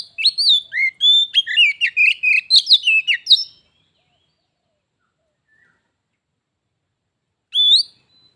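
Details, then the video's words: Oriental magpie-robin in a singing match between a pet bird and a visiting wild one, heading toward a fight: a rich three-second phrase of rising whistles and clicking trills, long silence, then one upslurred whistle. "Kacer _adu suara sampai jadi bertarung/fight"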